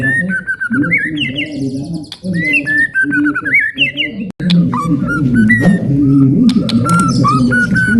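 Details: Male white-rumped shama delivering a long ngalun song to excite other birds and train young ones; rhythmic whistled phrases repeating about once a second, then scattered short whistles, all over steady low cooing.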